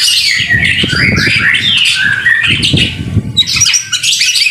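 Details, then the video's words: White-rumped shama singing hard in the rain as a tutor recording: a rich, continuous jumble of whistles and harsh chattering notes over a low rumbling background. "BIRD SOUND IN THE RAIN SUPER SPECTACULER / MASTERAN MURAI BATU GACOR"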